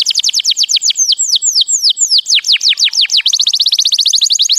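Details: A white canary sings a continuous chain of downward-slurred whistles that slows, then speeds into a dense rapid trill; clear and loud, nothing else audible.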